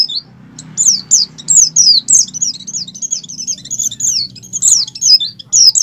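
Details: Oriental white-eye song, ngalas style, from a bird in peak breeding condition, played to prompt caged white-eyes to sing; steady stream of sharp, high, falling chirps repeated several per second, soft low background drone.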